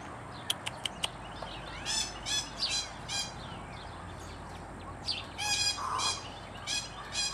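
Green aracaris give harsh, scratchy, high notes in short bursts, roughly two a second, after a few sharp clicks, over a quiet background hiss.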